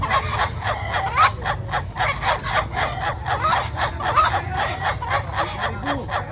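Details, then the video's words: Laughing chicken giving a long crow made of rapid, evenly pulsed cackling notes, about four per second, steady for six seconds over a constant low rumble of background noise. "ayamketawa durasi panjang"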